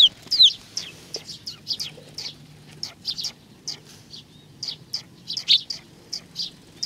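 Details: Sparrows coming to be fed at Tenmangu shrine in Nakanoshima, 21 June 2020; a busy stream of short, high chirps about two or three per second, uneven in spacing, over a low steady background hum.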